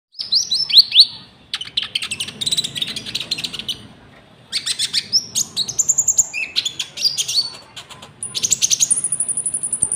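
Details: Common Iora in full song with cricket-like fill-ins, used as a lure for trapping and for training caged birds; high whistled notes and rapid buzzy rattling bursts in three runs separated by brief pauses.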